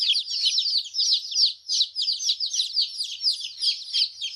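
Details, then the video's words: Group of freshly hatched chicks, coloured, calling together: high thin peeps pour out in quick succession, swelling and easing in loudness every half second or so, with no other sounds. "Hen Chicks making Noise"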